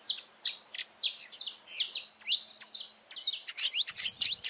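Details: Wild saffron finches in a noisy group: rapid high chirps and buzzy downslurred notes in steady bursts, with a faint low murmur near the end.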